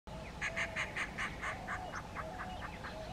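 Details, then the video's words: Indian roller recorded in the morning at Agar Malwa, India, its voice harsh and grating: a fast series of rasping notes, about six per second, that fade toward the end. Soft whistled notes from another bird sound in the background. "Call of Indian roller"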